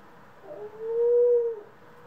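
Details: Pet doves, a household of ringneck, Senegal and hybrid doves, recorded April 25, 2021: one smooth, steady low coo lasting under a second, swelling gently and fading, over a quiet background.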